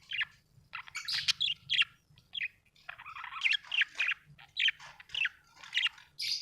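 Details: Budgie chirping: bursts of scratchy, warbling chirps and short squawks, irregular and overlapping, with a faint low hum beneath.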